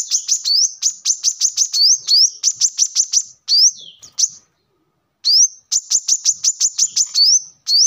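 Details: Brown-throated sunbird song used as a lure and training model for cage birds: rapid runs of thin high chips mixed with upslurred whistles, a short pause midway, then the chip runs resume.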